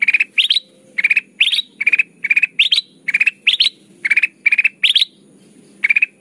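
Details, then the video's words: Golden bulbul (kutilang emas) song used as a trapping lure, called lively and crystal-clear. Rapid triple-note chirp bursts repeat about twice a second, some ending in a higher upslurred note, over a soft low rumble. "suara burung kutilang emas pikat terbaru 2023 || Suara pikat kutilang emas gacor"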